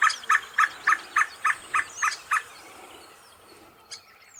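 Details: Red Spurfowl near the Hampi ruins in Karnataka, India, in late March, with a male and a female roaming among rocks: eight evenly spaced harsh notes at about three per second, then quiet.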